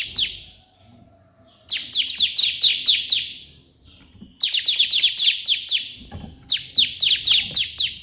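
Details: Bar-winged prinia in vigorous 'shot' style song modelled on the white prinia, a tutoring recording: repeated bursts of rapid, high, down-slurred notes, each run lasting a couple of seconds, separated by short pauses, with faint low background sounds.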